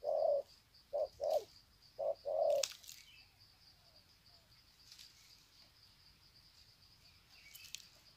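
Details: Wild-caught spotted doves greeting one another at Sê San, 21 February 2020; a few hollow coos in short-long pairs during the first three seconds, then quiet with faint rustles and a clicking knock.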